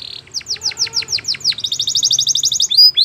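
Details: Canary in full song, a run of about ten descending sweeps followed by a fast high rattling trill and sharp whistled flicks.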